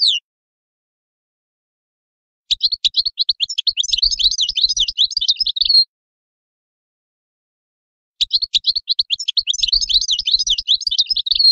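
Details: European goldfinch singing in clean, quiet conditions: two bursts of rapid, tinkling, twittering notes, each lasting about three seconds and separated by a pause of several seconds.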